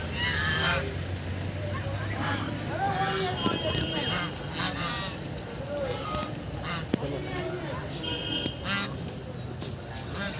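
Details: Ducks playing on Bhimtal lake call in a busy chorus of harsh, nasal honking quacks, overlapping and repeated throughout, over a steady background murmur with possible faint voices.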